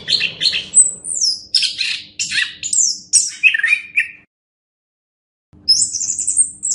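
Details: Orange-headed thrush singing for a master recording meant to teach other birds, with squeaky, descending and warbled phrases, a gap of about a second, then a high wavering trill.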